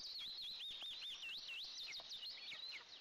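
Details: Nest-camera recording of two Eastern imperial eaglets at breakfast, 29 June 2024: a loud, continuous stream of high, looping, wavering chirps with no gaps.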